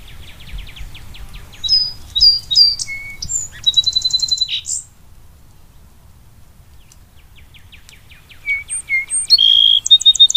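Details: Song sparrow song in two bursts separated by a quiet pause: rapid high chirps, whistles and a buzzy trill, then a fainter series of ticks ending in buzzy notes, with low rumbling background noise throughout.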